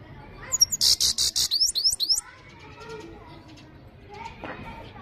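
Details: European goldfinch in full song: a fast burst of high, buzzy, tinkling notes and twittering slurs lasting about two seconds, followed by quieter background chatter and a faint twitter.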